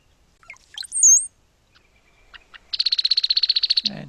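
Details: Brown-headed Cowbird, a spring migrant passing through southern Quebec: quiet and chattery, a few liquid gurgles, then a thin, very high slurred whistle, followed by a rapid, even rattle of clicky chatter.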